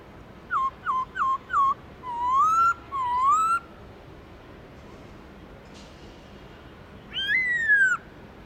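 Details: Giọng rừng, the wild-style song of a black-throated laughingthrush: four short staccato whistles, then two longer rising whistles, a quiet stretch with a brief click, and one final bold falling whistle.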